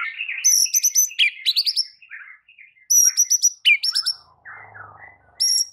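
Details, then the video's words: White-rumped shama master recording for silent shamas: bursts of very high, thin, rapidly repeated notes over lower warbled phrases, with a soft hum near the end. "Murai Batu BISU seketika langsung TERPIKAT dengan MASTERAN murai batu ini"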